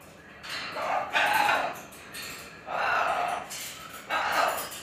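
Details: Captive macaw living at a junkyard, giving harsh, raspy squawks in four bursts of about a second each, spaced one to one and a half seconds apart, with background noise.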